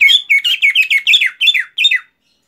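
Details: Greater green leafbird (cucak ijo) giving a rapid run of about eight harsh, chirpy notes, each sliding downward, tightly spaced over two seconds, then silence; a quiet indoor setting with no other sounds.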